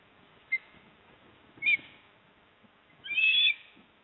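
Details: At a Port Lincoln nest in South Australia, 28 September 2024, a male osprey delivers a fish to the female; two short faint whistled notes, then a longer, louder shrill whistled call, over steady background hiss.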